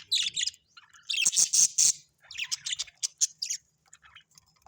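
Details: Pet budgerigars at home giving rapid high chirps and scratchy warbled notes in short bursts, a dense run of buzzy chatter in the middle, then scattered sharp tweets.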